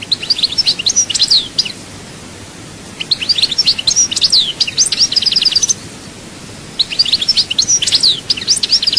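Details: Singing European goldfinch, Souk Ahras, Chaayba, Algeria, delivering three bright, jingling phrases of rapid high twitters and buzzy notes, each about two to three seconds long with short gaps.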